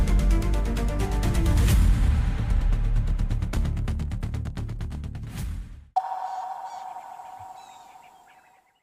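Loud rhythmic music fading over six seconds, then cutting to a steady mid-pitched electronic tone over quiet background noise; no animal sounds.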